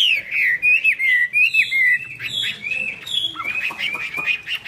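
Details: Chinese hwamei singing 'hót xòe' with eagle-wing display. Rich, fluty whistled phrases, each sliding and bending, come in measured bursts, then give way to quieter, rapid chattering notes.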